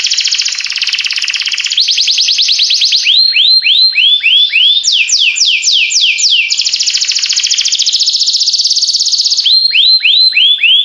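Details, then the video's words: Canary singing continuously: a fast high trill, looping whistled notes, sharp down-slurs, another long rapid trill, then more curved whistles. "This Sweet Melody Will Excite Your Singing Canary!"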